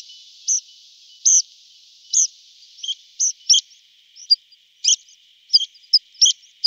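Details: Tree pipit in summer singing a series of sharp, high, clipped notes that speed up toward the end, with fainter thin chips woven between the louder strokes.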